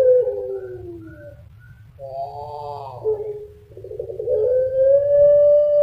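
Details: Drawn-out, melodious cooing from a Puter Pelung dove, a breed Indonesians have long kept for its voice: a soft falling note, then a wavering coo, then a long, smooth tone rising gently. A low constant rumble sits beneath.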